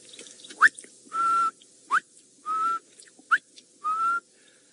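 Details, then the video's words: Greater honeyguide, heard in the background, gives its territorial two-part 'vic-tor' call: a quick rising flick, then a steady level whistle, repeated three times about every 1.3 seconds over faint hiss. "you can hear the greater honeyguide in the background."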